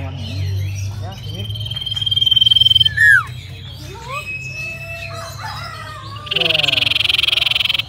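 Common Iora song: long, drawn-out high whistles, a sharp down-slurred note, then a fast rattling trill at the end. People talk quietly and a low hum runs underneath.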